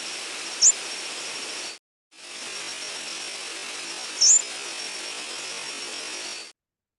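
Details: American Redstart flight calls from an online sound archive: two single very high, sweet, whistle-like upslurred notes, stressed on the rising end, around 6–8 kHz, a few seconds apart over steady hiss; said to be the most common flight call in late August to early September.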